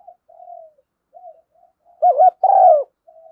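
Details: Spotted dove decoy call for luring doves, thúc gù and gáy gọi style; quiet, even cooing notes lead into one loud phrase of a wavering coo and a long, slowly falling coo, then soft cooing resumes.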